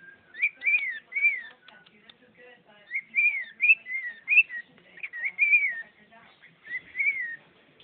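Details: Pet bird singing the tune "bird is the word" indoors: a run of clear whistled phrases, each rising then falling, in bursts with short pauses between, no other sounds.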